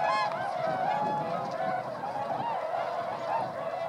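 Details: Large flock of 905 swans in flight above rice paddies in Motono, Inzai, Chiba Prefecture, Japan, December 2014; steady massed honking, many birds calling at once in wavering, slightly rising and falling nasal notes.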